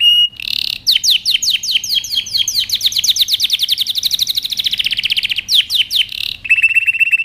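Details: Canary singing a training song, opening with a buzzy note, then a long run of down-slurred whistles that speed into a rapid rolling trill before buzzy notes and a steady high trill close.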